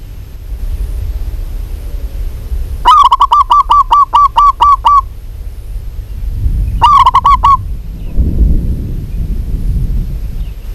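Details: A vigorously calling local zebra dove gives two bursts of staccato, mellow cooing notes. The first has about nine notes and the second about five, separated by a pause. Low rumbling noise follows.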